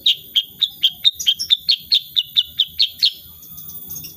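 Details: Unedited recording of a sooty-headed bulbul singing in the 'tembakan' shooting style: a steady burst of about fourteen crisp high chirps, roughly two per second, stopping abruptly.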